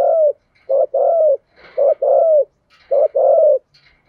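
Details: Captive spotted dove kept as a decoy to lure and stir wild doves, cooing in low, hoarse phrases: a short note then a longer drawn-out coo, the phrase repeated three times about every 1.1 seconds in a quiet setting.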